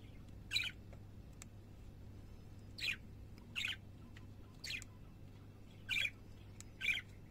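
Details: Single hoarse parakeet squawks repeat roughly once a second, evenly spaced, with a steady low hum underneath.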